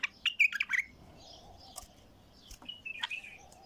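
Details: Bulbul, described as untrained and heavy-throated, giving a rapid string of loud warbled chirps at the start. A quieter pause follows, then a second shorter run of sliding notes over a faint steady wavering tone.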